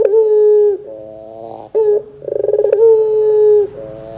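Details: Puter pelung (Barbary dove) kept for song, in a lure recording meant to draw other doves into singing. Long level coos alternate with softer layered murmurs and a quick rattling burst that runs into another sustained note.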